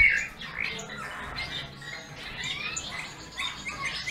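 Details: Bullfinch singing: a busy run of short creaky chirps and thin whistled notes, mostly high-pitched, tumbling together with brief pauses and some overlapping calls throughout.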